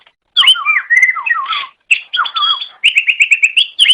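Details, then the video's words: Green leafbird (cucak ijo) master song: wavering slurred whistles dipping and rising, then a quick series of about seven evenly spaced sharp chirps. "Ocehan Suara Burung Cucak Ijo"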